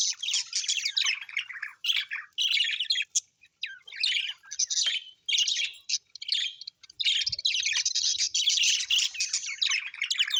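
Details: Happy pet budgerigars chatter in busy bursts of scratchy, high chirps and warbles, run together with only brief pauses between phrases.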